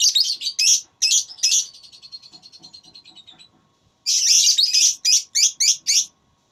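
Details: Lovebird in a singing contest, pouring out dense shrill chatter, a fading rapid trill, then another loud burst of harsh piercing notes.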